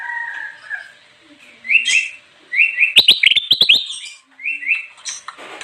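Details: Bulbul singing actively, used to lure wild birds: short rising whistled notes in quick runs, mixed with sharp clicking bursts and chattering trills, with brief pauses between phrases.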